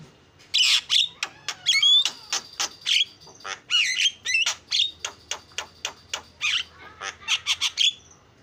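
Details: Starling song played as a lure to set other birds singing: a fast, varied stream of sharp clicks, chattering notes and whistled slides, with some phrases repeated. Notes come several times per second over a faint low hum.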